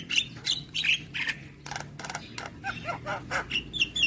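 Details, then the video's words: Javan myna's nonstop song rich in fill notes: bright whistled slurs and harsh buzzy bursts in quick alternation, with a short grating rasp partway through. "Kicauan Jalak Kebo Maput Full Isian"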